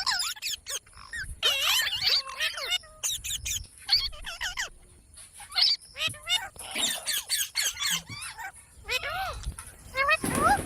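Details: Parrot chattering busily with rapid squeaks, chirps and short swooping whistles packed close together, some bursts sounding almost speech-like, ending in a noisy rasp.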